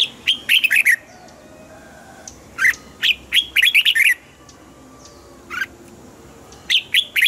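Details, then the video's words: Caged Red-whiskered Bulbul song, played to excite caged birds: short bursts of rapid, bright chirped notes in quick phrases, three main outbursts separated by quiet pauses, with a faint steady background hiss. "นกปรอดหัวจุก | เสียงนกกรงหัวจุก ขวัญใจสายเบิ้ลอาชีพ ฟังแล้วคึกเหมือนเดิม นกไม่คึกห้ามฟัง"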